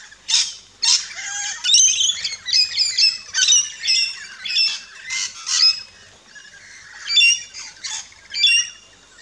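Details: Rainbow lorikeets feeding at a backyard station in Australia chatter with shrill, scratchy squawks and chirps, repeated roughly every half second in uneven clusters, with one short lower whistle early on.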